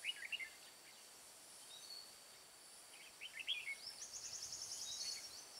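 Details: Red-whiskered bulbul decoy singing during trapping of wild birds in mountain forest of Hòa Bình, Vietnam, 5 February 2017: brief warbled bursts at the start and near 3.5 seconds, then a fast high trill, over steady hiss.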